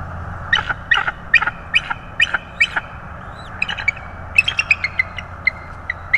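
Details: Bald eagle at its nest in Florida on 25 January 2022, two chicks present; a steady series of piercing chirps about every half second, followed by a quicker, tighter burst of notes, with a constant low background hum.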